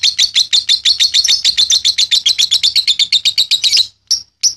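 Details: Balibu lovebird doing ngekek chatter for training other birds: quick, scratchy high notes running steadily, then a short gap and two isolated chips at the end.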